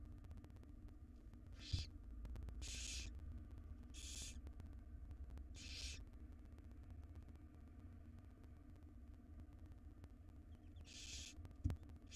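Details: Wild barn owl nestlings begging from their mother as she delivers a jird to the nest box; short breathy hisses every one to two seconds, then a pause and one more near the end, over low hum.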